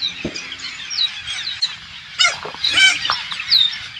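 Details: Hundreds of green parakeets, believed to be Alexandrine parakeets, invading a farm in rural Thailand; many harsh, grating screeches overlap, with a few louder rasping calls standing out above the flock.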